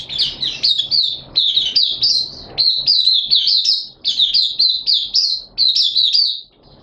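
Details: Mata puteh, Malaysian Oriental white-eye, singing happily in 'buka sing' display on 25 February 2023: nearly continuous high, slurred chirps run together in long twittering phrases, broken by a few brief pauses, faint hum beneath.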